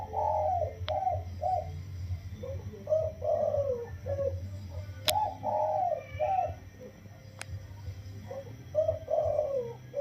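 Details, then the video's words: Spotted dove caught wild and caged 16 days, crowing in the single-kuk throw style: soft, mellow coo phrases, each a few notes with one drawn-out falling coo, repeated about every three seconds over a low hum. "คลิปเสียงนกป่า อายุกรง 16วัน มาให้ชม ขันโยนกุกเดียวเต็ม เสียงเพราะ เสียงนุ่ม"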